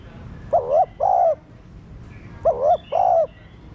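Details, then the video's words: Cooing of a spotted dove, used to prompt caged doves to answer: two sets of double mellow, slightly quavering coos about two seconds apart over a soft background with faint higher bird notes. "Cu gáy kích bổi nhanh nổi/Cu gáy mồi cây Gáy Thúc kích bổi chưa nổi nhanh gáy"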